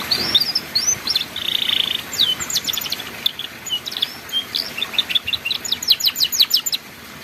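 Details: Master song of a canary in the ngeriwik style, meant for young canaries learning to sing: a buzzy, sustained high note opens, followed by varied twittering phrases and a fast run of repeated descending strokes.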